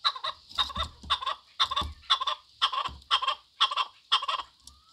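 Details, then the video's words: Repeated raspy chuck-chuck phrases from a chukar partridge, regular bursts roughly every half second, each rich and buzzy, with light low rumbling beneath. "chakor ki awaz"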